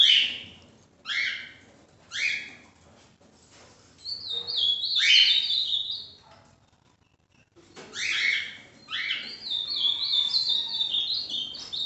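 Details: Ultramarine grosbeak (Cyanoloxia brissonii), song.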